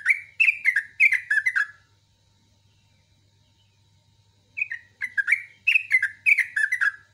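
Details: Yellow-vented bulbul singing fast 'ropel' morning song with 'ngecruk' chatter and sharp 'nembak' notes: two vigorous bursts of bubbly, slurred notes, each under two seconds, separated by a quiet gap of nearly three seconds.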